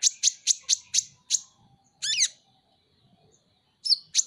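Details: Van Hasselt's sunbird, known locally as kolibri ninja and kept as a pet, gives six sharp high chips in quick succession, then a short scratchy twittered phrase, a pause, and two more piercing notes.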